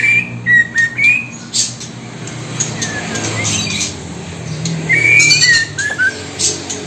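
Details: A male White-rumped Shama about two months old gives its young-male call: short, full whistled notes, some slurred downward, in quick bursts, with a steady background hum.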